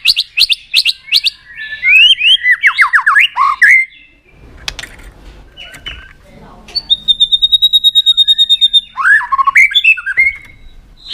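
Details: White-rumped shama delivering a varied many-voiced song meant to excite birds into singing: rapid chattering runs and descending whistled strings, a pause with faint background noise, a long steady whistle, then more rapid rising trills.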